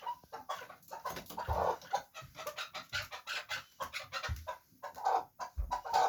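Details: Chukar partridge of the fighting kind calling in rapid harsh clucks, with occasional low thuds mixed among the rhythmic notes.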